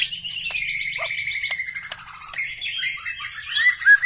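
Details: Long descending whistle from a black-legged white-rumped shama with a fast metallic trill above it, followed by a gliding high note and mixed chattering whistles.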